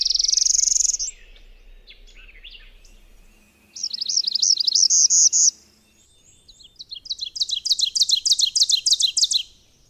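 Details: Subalpine warbler (Sylvia cantillans) song: a buzzy rattle, softer twitters, a chattering phrase of clipped notes, then a long run of fast, evenly repeated sharp notes.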